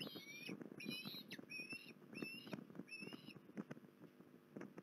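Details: Osprey at Port Lincoln, recorded 21 December 2020, giving a series of high, clear whistled notes that slur upward, repeated about every half second, over constant low tapping and rumbling noise.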